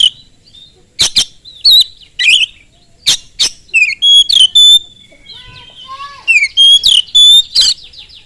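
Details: Oriental magpie-robin in rapid song used as a lure for other magpie-robins: sharp harsh bursts mixed with bright level whistles, swooping notes and soft lower warbles, delivered in quick irregular phrases.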